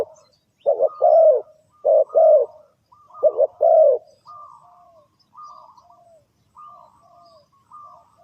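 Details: Spotted dove heard as a lure for bird trapping: three loud phrases of quick coos ending in a drawn-out croo, followed by fainter, thin, level coos fading into the background.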